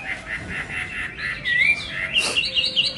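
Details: Whistled hwamei song with a steady run of short repeated notes, a bright rising slur, then quicker high chirps and twittering phrases.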